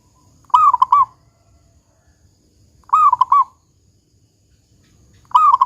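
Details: Zebra dove (local perkutut), a lively singer with a deep 'kung' voice, used to coax other zebra doves into singing: three bubbling cooing phrases about half a second long, repeated roughly every 2.4 seconds in quiet surroundings.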